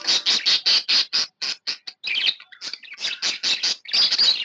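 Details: Budgerigar kept as a pet, said to be happy, chirping almost nonstop: a steady series of short raspy buzzes about five per second, broken by a brief squeaky warbled phrase, then more harsh chirps.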